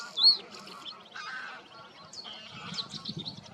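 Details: A male bluethroat sings from reeds to defend his territory. His quick, varied song of high chirps and thin whistles, known to imitate other birds, opens with one loud ringing note and then turns softer and scratchier.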